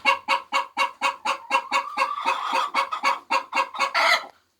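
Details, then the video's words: Domestic hen's egg-laying song: rapid, insistent clucks about two per second, swelling into drawn-out, raspy cackles toward the end. "Sounds of 🐓Chicken's Laying Eggs 🥚🥚"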